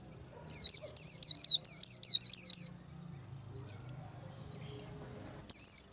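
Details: High twittered chirps from a white-eye preparing to moult, delivered in a quick burst of about eight notes. A pause with low background murmur follows, then a few isolated notes.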